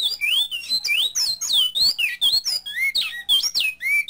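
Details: Coleiro (double-collared seedeater) delivering the bicudo clássico tutor song: quick successive clear whistles, each swooping up or down, some with a buzzy edge, in a steady energetic flow with no gaps.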